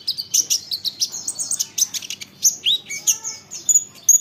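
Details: Olive-backed sunbird song to provoke replies from other sunbirds: quick high chips, thin squeaks and downslurred whistles, delivered in a fast, jerky sequence.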